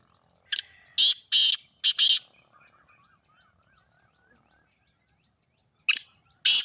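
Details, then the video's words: Grey francolin call meant to set caged teetar calling in training: a series of loud, harsh, rasping notes, then a long near-silent stretch with a thin faint tone, before more harsh bursts return. "Teetar Voice for Calling"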